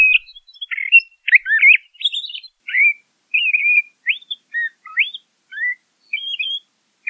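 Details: Varied, continuous song of a LeConte's thrasher, with many short chirped and slurred whistled phrases in quick succession. Each phrase changes pitch, some rising sharply and some dropping, with no other sounds.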